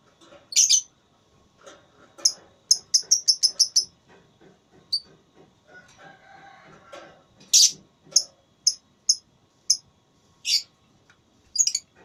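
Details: Lovebird in a song contest, pouring out rapid runs of sharp, high chirps, a fast repeated series near the start, quieter lower background calls midway, then loud, spaced piercing notes.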